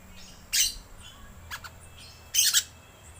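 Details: Rainbow lorikeet lure sound: two loud grating screeches, the second one doubled, separated by a softer, thinner double note, over low steady background hum.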